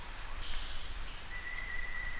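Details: Black-winged flycatcher-shrike calling in a fast, even run of thin, high chips that strengthen toward the end. A constant shrill insect hum sits behind it, with a faint lower steady tone.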